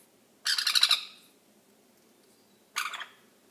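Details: Baby sun conure letting out two rough, buzzy squawks, the first longer and pulsing, the second shorter, with near silence between them.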